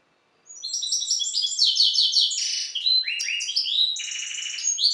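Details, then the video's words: Song of a bred hybrid from the goldfinch subspecies Carduelis carduelis balcanica: after brief silence, a quick sequence of high, bright twittering trills and buzzy tinkling notes, rich and continuous, with no other sounds. "Singing the bastard Carduelis carduelis. Balcanika ( Śpiew bastarda po C.c. Balcanika )"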